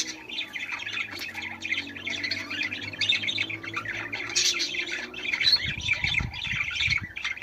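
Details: Budgerigars singing to encourage mating: a steady, unbroken warbling chatter of squeaks, chirps and short squawks throughout, with faint low thumps near the end.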